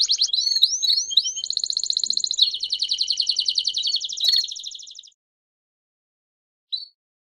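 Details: A canary gives a teaching song for other canaries: three looping whistled notes, then a long, rapid, buzzy trill fading after five seconds, then silence and one short chirp.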